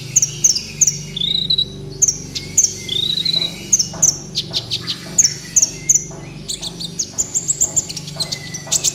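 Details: Sunbird (kolibri ninja) in 'gacor' song for training caged birds: quick high-pitched chips in pairs and threes with thin wavering trills, repeated rhythmically over a constant low electrical hum.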